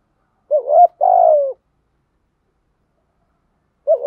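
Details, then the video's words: Decoy spotted dove cooing to lure wild doves: a short wavering note, then a longer, rough, slowly falling coo, with the start of the next phrase cut off at the end; quiet background. "chim cu mồi thúc gù bài bản nhất hiện nay, chim cu gáy kích bổi hiệu quả nhất hiện nay"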